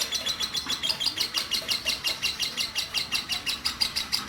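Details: Captive orange-bellied leafbird that turned into a vigorous singer after losing her mate: a fast, even run of sharp, high, tinkling chirps, nearly three per second, pulsing without break in a small room.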